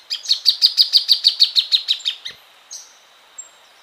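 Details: Loud, close plain thornbird song: about fourteen sharp chirped notes in quick, steady succession over two seconds, tapering off, followed by a couple of brief high notes against a faint steady hiss.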